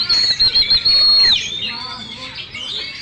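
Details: Champion caged Oriental magpie-robin giving a loud, long, level high whistle for over a second, then sliding down into softer rambling warbles.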